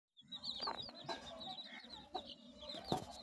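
Chickens giving soft clucks and a few short, sharp calls, with high thin peeping from chicks running steadily underneath.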